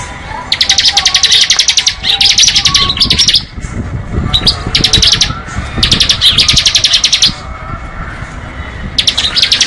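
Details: Repeated ngebren bursts from a bar-winged prinia: dense rattling series of high, thin chirps, each burst lasting about one to two seconds, separated by short pauses over low rumbling background noise.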